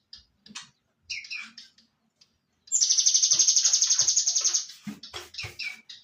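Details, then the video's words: Cinereous tit (gelatik batu) singing: scattered short high chirps, then a loud, rapid, buzzy trill of evenly pulsed notes lasting about two seconds, followed by more sharp chips and short trilled phrases. "Gelatik batu"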